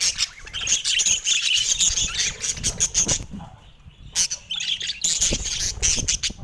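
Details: Pet budgerigars singing on a sunny morning in San Diego: a dense, continuous chattering warble of scratchy trills and squeaks, a brief lull near the fourth second, then the busy chatter resumes.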